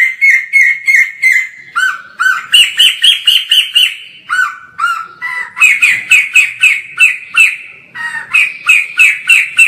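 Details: Distant white-crested laughingthrush (poksay jambul) singing hard: steady runs of fast, ringing whistled notes, several per second, shifting between level and rising pitches with brief dips lower in tone.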